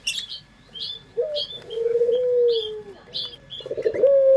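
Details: Indonesian local puter pelung dove with a lure song: a long, low, smooth coo that starts with a short pulsed rise and holds a level tone for over a second, while small birds chirp high in the background.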